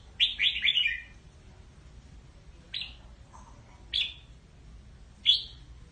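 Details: A red-whiskered bulbul gives flock calls: an opening quick cascade of three falling whistled notes, then isolated sharp chirps every second or so, against a steady low background rumble.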